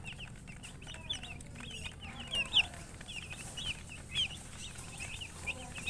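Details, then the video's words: Soft chorus of baby chicks chirping, thin high peeps in clusters with a few sharper louder notes standing out now and then, over steady low background noise. "Baby "Chicks Chirping" Sound"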